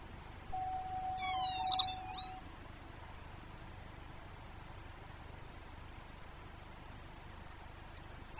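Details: Distressed Northern lapwing, one of a pair anxious for their chick near herons, gives one harsh, wheezy, strongly harmonic call lasting about a second, followed by quiet steady background hiss.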